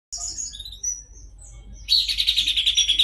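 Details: Horsfield's babbler in lively, full song: thin high whistled notes and short slurred phrases, then a fast, loud, dense chattering trill of rapidly repeated high notes for the final second.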